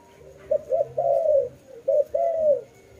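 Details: A single dove phrase: two brisk low notes, a long falling coo, then another short note and a second long coo.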